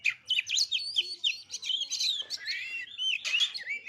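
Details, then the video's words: White-rumped shama song used to provoke other birds into singing: a fast, continuous stream of varied whistles, trills and sweeping slurred notes, rich and bright with barely a pause. "PANCINGAN KACER DIJAMIN EMOSI"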